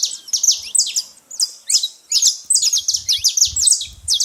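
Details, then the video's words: Saffron finches making much noise at a feeding spot, a steady stream of high, sharp, overlapping tweets in short clusters, with faint low thumps in the background. "canário da terra fazendo muito barulho na seva"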